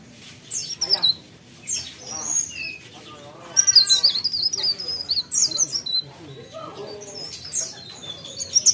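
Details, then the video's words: High, thin twittering phrases from a mountain leaf warbler, irregular and scratchy. Some lower, softer sounds mix in beneath the song. "CIKRAK DAUN | PARE PARE GACOR"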